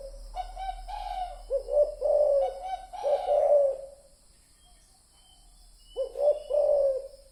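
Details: Spotted dove cooing as a lure sound: a cluster of repeated throaty coo phrases, a quiet gap of about two seconds, then another short-note-plus-long-coo phrase.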